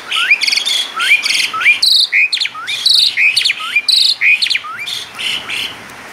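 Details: Asian pied starling in vigorous song rich in imitated phrases, repeating a rising whistled upslur about once a second, each time paired with dense buzzy, harmonic chatter; the song fades near the end.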